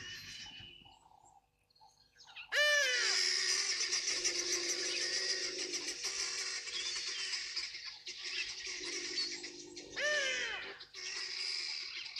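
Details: A flock of helmeted guineafowl at a waterhole at Sabi House, South Africa, on 7 September 2025, alarm-calling at a bathing African hawk eagle, a predator; loud, harsh, rattling chatter, many birds cackling at once in a dense din after a quiet start.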